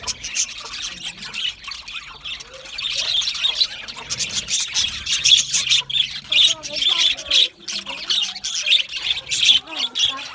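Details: Chattering budgerigars in an aviary, a dense continuous flock of chirps, squeaks and squawks, steady busy warbling for the whole stretch with no pauses.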